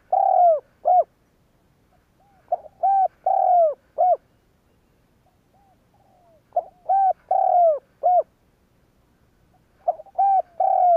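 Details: Spotted dove decoy cooing to provoke other doves to coo. Mellow low coos come in two bursts: soft short notes, then a longer drawn-out coo, with a few seconds of silence between phrases.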